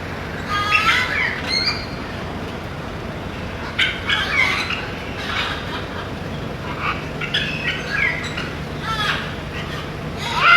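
Macaws give harsh, raspy squawks in short bursts every second or two, over a steady low background hum.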